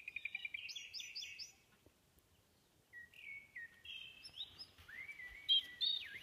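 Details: Thrush song with fast repeated trilled notes, a pause, then varied whistled phrases stepping up and down and ending in sweeping slurs. A rustling low noise sits underneath.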